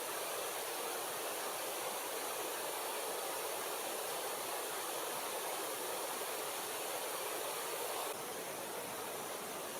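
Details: Continuous hissing rush of water runs throughout, dropping slightly in level near the end, with no animal voices audible.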